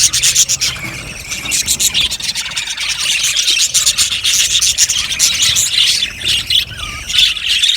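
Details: Australian budgerigars in an aviary colony, a dense, continuous wash of high scratchy chirps and warbles from many birds at once, with brief rising whistles near the end.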